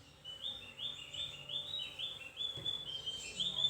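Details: Javan white-eye singing thinly: a string of short high chirped notes at an even pace, followed by a longer sustained whistle and a few brighter notes at the close.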